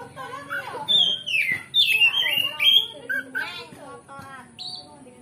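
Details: Oriental magpie-robin (kacer) lure song in ngeplong style to raise a rival's fighting mood: a cascade of loud slurred whistles falling in pitch, followed by softer chirps and a final high note.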